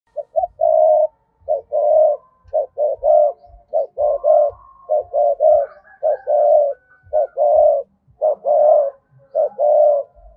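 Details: Decoy spotted dove with a double voice and two-part ending, cooing to call wild doves: mid-pitched coos in groups of two or three notes, with a longer drawn note, repeated steadily about once a second.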